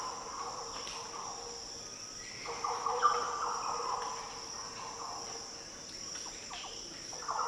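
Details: Liquid, mellow song phrases of a green oriole in the coastal Daintree rainforest of northern Australia, two main bursts of rolling fluty notes separated by a pause, set against continuous high-pitched insect noise.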